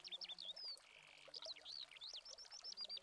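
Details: Eurasian skylark in Spain during August, filmed with a Canon 7D Mark II, pouring out liquid whistles, a brief buzzy note, then a run of quick up-and-down chirps repeated in rapid succession.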